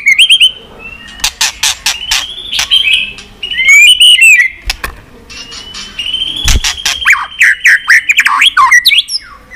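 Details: White-rumped shama singing continuous clicking song, used to rouse other pet shamas; varied whistled notes rising and falling, mixed with sharp loud clicks at irregular intervals.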